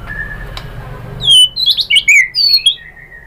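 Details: White-rumped shama lure song: after a faint thin whistle, a short burst of loud, high, slurred whistles and twittering notes follows, lasting about a second and a half.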